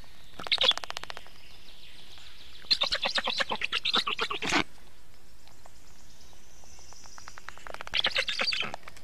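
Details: Black stork at the nest during feeding, 24 June 2017, 19:52: three bursts of rapid, rasping pulses, a short train near the start, a longer stuttering run in the middle and another near the end, with quiet background between them.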